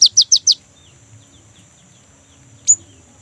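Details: A young, actively singing great tit whose song serves to prompt other kept birds. Four rapid, high, falling notes open the passage, then a lull and one sharp single note near the end.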